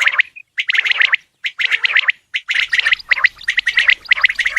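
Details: Male Coturnix quail calling: short gravelly bursts of rapid notes separated by brief silences. One soft pure note is heard early on.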